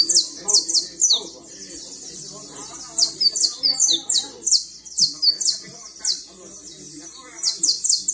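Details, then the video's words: A fine canary (criollo canary) sings rapid, high trilled phrases in bursts with short pauses between, over a faint murmur of background voices. "Canario fino trinando"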